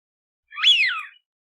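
A single clear wigeon whistle, a sharp 'wheeoo' that rises quickly then slides down over about half a second, against a quiet background.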